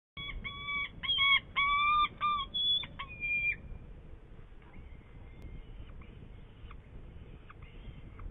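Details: Saker falcon in Hungary on 8 May 2019, around prey: a loud run of harsh, harmonic notes repeated about every third of a second for three seconds, then fainter similar calls continuing over a steady background hiss.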